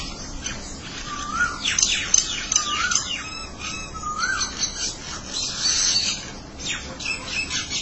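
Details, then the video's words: Mynas calling back and forth to each other, a short upslurred whistle near the middle repeated a few times among harsh chattering and squeaky notes, with steady hiss in the background. "Mena Birds are talking with each other"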